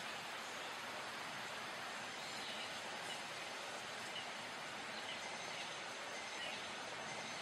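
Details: Steady, even broadband hiss like rushing wind or water, with no animal calls standing out at any point.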